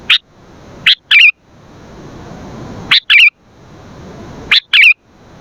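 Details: Sooty-headed bulbul recorded for luring and tutoring birds: three short bursts, each a sharp chirp followed by a rapid bubbly double phrase, separated by pauses of a second or more with soft hiss.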